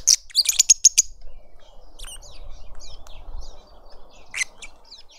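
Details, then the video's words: Lovebirds in a suburban garden in Pretoria, South Africa, a family feeding a juvenile at a feeder; a burst of sharp, high shrill chirps repeated rapidly, then softer scattered twitters over a low background hum, and one more sharp shriek near the end. "Lovebird family feeding a juvenile"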